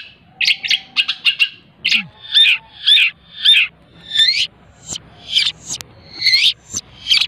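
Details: Hand-raised pet long-tailed shrike, tutored with mp3 recordings and fed insects morning and evening, delivers a rapid 'full isian' song: short sharp high notes and chirps repeated nearly twice a second, with a faint low tone beneath.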